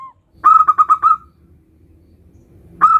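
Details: Nutut-style song of a local zebra dove, used as a lure for other zebra doves: a quick run of five clear whistled notes, a pause of near silence, then another note starting at the end.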